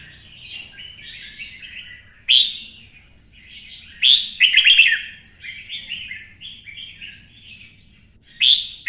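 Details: Twisted-voice red-whiskered bulbul roused into competitive fighting song, delivering repeated bright warbled phrases, with loud phrases opening in sharp high notes and a busy chattering burst in the middle, with softer twittering between.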